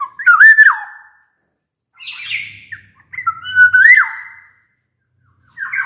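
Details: Loud flute-like whistles from a black-naped oriole in full song, with a harsher nasal note between phrases. Used to draw quiet orioles into singing. Each phrase swoops up and then falls.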